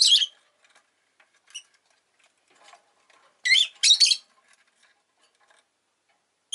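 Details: Rosy-faced lovebird kept as a pet, producing a few shrill squawking chirps, a paired burst in the middle, with faint ticking and rustling sounds between calls.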